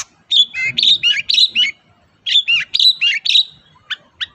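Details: Long-tailed shrike song for provoking a silent shrike to sing: two runs of quick mimicry-like warbled notes with twisting whistles, each about a second and a half, ending in two short sharp chips.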